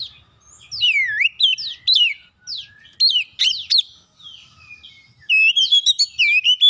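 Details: Singing Oriental magpie-robin used as a lure so that other magpie-robins answer. Strong, varied whistles sweep down and up in swift phrases, then a burst of quick repeated bright notes closes the passage.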